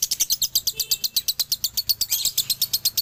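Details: A male lovebird, Galendo from Ciamis, delivers a fast dobelan string of piercing chirps, each note short and bright, repeated quickly and steadily, with a slightly busier burst toward the end.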